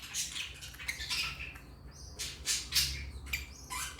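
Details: African lovebirds chirping rapidly, dense overlapping shrill squeaks and rasping squawks, several per second, loud and harsh, with a low background rumble.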